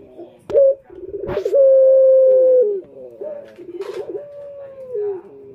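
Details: Male turtle dove calling as a lure for other males: low, soft coos, one long steady drawn-out note followed by wavering repeated coos, broken by several sharp knocking clicks.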